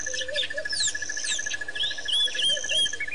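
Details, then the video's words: White-fronted bee-eaters recorded at a waterhole in Botswana on 9 October 2007, giving quick slurred chirps and upswept notes in a busy chorus, with a constant pulsing insect buzz beneath. "White-fronted Bee Eaters"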